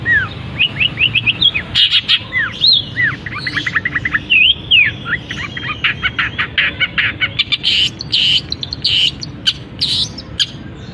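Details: A long-tailed shrike sings continuously and energetically with bright chirps, upslurred whistles and rattling trills, mimicking a canary and other birds, starting right as its cage cover is removed.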